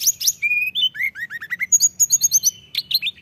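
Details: Energetic Mountain tailorbird song: a loud high burst, a steady thin whistle, then a string of quick descending chirps and a rapid series of very high clipped notes.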